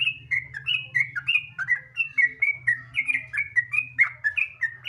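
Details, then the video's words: Continuous 'gacor ropel' song of a sooty-headed bulbul, played to get other bulbuls singing quickly: tumbling sequence of bright, clipped whistled notes with a steady low hum behind. "Pancingan Trucukan Gacor Ropel Santai Sangat Ampuh Bikin Trucukan Lain Cepat Bunyi Gacor Ropel"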